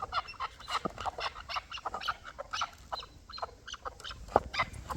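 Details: Hybrid and local chukar partridges calling together: busy, raspy clucks repeated in quick runs, one bird louder than the rest, with a brief sharp knock near the end.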